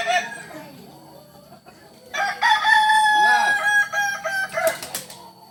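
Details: Crowing Kukuak Balenggek chicken from Solok: the tail of one crow fades out, a quiet gap follows, then a new strong harmonic crow rises with uneven, wavering syllables and breaks off in short choppy bursts.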